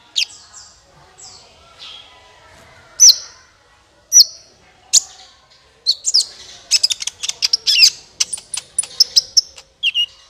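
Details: Kolibri ninja sunbird calling as a lure for trappers: a few thin descending whistles and isolated sharp ticks, then a dense burst of rapid high chirps and twitters toward the end.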